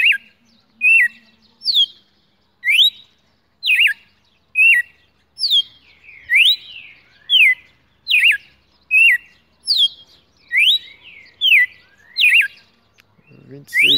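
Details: Red-cowled cardinal (galo-de-campina), a champion caged bird held in the hand, singing on a morning in December 2018: clear, sweeping whistled notes rising and falling about one each second, a brief low murmur at the end.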